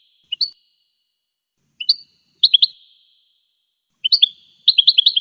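A goldfinch gives bright, high twittering notes in short bursts separated by pauses, ending in a quick tinkling run; no other sounds.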